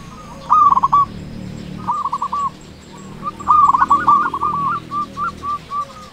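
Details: Local zebra dove in full voice, used as a calling lure for sluggish doves: three phrases of fast bubbling coos, each opening loudly and trailing into evenly spaced short notes, faint low hum beneath.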